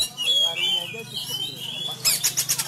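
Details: Caged Sumatran Oriental magpie-robin training at home during the Covid-19 lockdown, fighting-style singing: long clear whistles rising and falling, then a burst of fast harsh clicking notes near the end.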